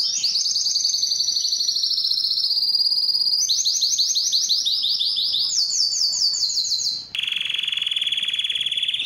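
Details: Singing canary, named as Belgian, performing to excite hens for mating; very fast, bright trilled phrases that step between pitches, ending in a steady lower buzzing roll after a short break.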